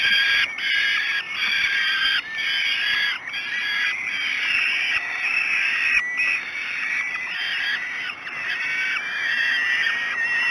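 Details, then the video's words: Breakfast-time begging by falcon chicks at Great Spirit Bluff, 06:54, 5 June 2016: a long run of raspy, wavering screams broken into short bursts by many brief gaps, some notes bending up and down. "Breakfast 3. Great Spirit Bluff Falcons"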